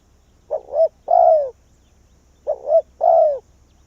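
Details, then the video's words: Decoy spotted dove from Vietnam, calling to draw wild doves down to its perch. Two phrases are heard: a brief rising double coo and then a long, mellow, descending coo, about two seconds apart. A low rumble runs in the background. "Cu Gáy Việt Rút Bổi Về Chung Tàn | suara burung tekukur"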